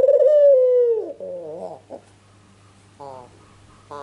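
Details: Ringneck dove call played as a lure for answering birds: one strong clear coo gliding down, followed by soft lower warbling notes and brief quieter harmonic bursts, steady hum in the background.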